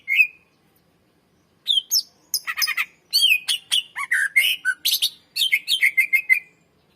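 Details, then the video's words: Greater green leafbird song played as a lure to train other birds: a single whistle, a pause, then a long lively medley of sharp chips, slurred whistles and buzzy notes ending in quick repeated notes. "SUARA BURUNG CUCAK IJO MASTER GACOR FULL SUARA PANJANG .COCOK PANCINGAN BURUNG BAHAN"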